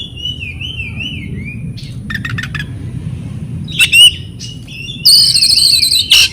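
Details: Wavering whistled phrases from an oriental magpie-robin, meant to coax silent or stressed kept birds to respond, are broken by short clicking rattles and two harsh bursts, then a loud buzzy trill.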